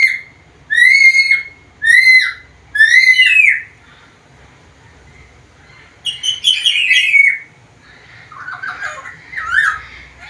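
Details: A vocal, talking black-capped lory gives three strong, arching whistles in a row. After a pause comes a scratchy, chattering phrase, then softer, lower warbling notes.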